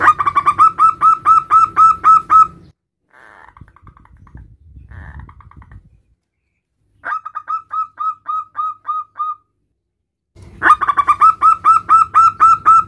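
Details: Local male zebra dove calling its mate with three bursts of fast, repeated, rolling coo notes, with quieter scattered sounds in the gaps between them.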